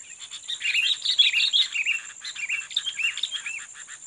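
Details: Sooty-headed bulbul, a fighting bird, recorded while being lured to challenge a rival: dense run of bright, bubbling chirps and short slurred whistles, many rising then falling, over a constant high droning hum.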